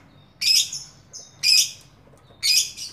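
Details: Lovebird calling with three loud, harsh, buzzy squawks spaced about one second apart, each with a brief thin whistle trailing after.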